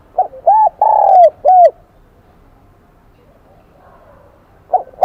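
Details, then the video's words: Wild-caught spotted dove in the high 'Kim Đồng' voice style, giving four quick, ringing coos within about a second and a half, then a long quiet pause before another coo begins at the very end. "Tiếng chim cu gáy giọng KIM ĐỒNG bổi nghe rất nhạy"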